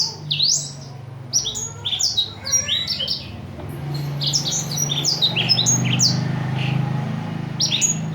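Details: Small imported Blackthroat singing as a tutor for other birds: sharp, high downslurred chirps in quick, uneven series, becoming softer and scattered later, over a low background hum.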